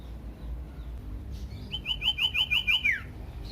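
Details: Common iora song played to make other ioras sing: one phrase of about seven rapid, even chirps closing with a falling note, over faint background hiss.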